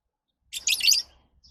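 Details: One lovebird gives a scratchy, high, chattering call lasting about half a second over a faint low hum.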